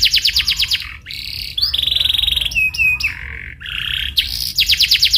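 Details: Lure recording of a canary singing to coax another canary into rolling song: rapid pulsed trills, a pause, then long even whistled rolls and brief slurred notes before fast trills resume.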